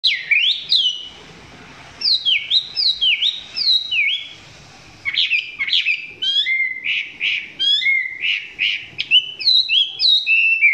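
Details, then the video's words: Chinese hwamei recorded close up, its song described as not yet at full strength; loud, varied whistled phrases of sweeping, rising and falling notes, delivered in quick bursts separated by short pauses. "Quay gần em mi hót chưa căng lắm nhưng tạm chơi được"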